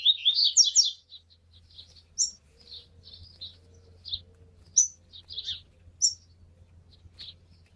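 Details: Rusty-collared seedeater warming up: an opening cluster of loud, high chirped notes, then sparse, irregular short chips and sharp high squeaks spaced over several seconds, with a faint low hum throughout.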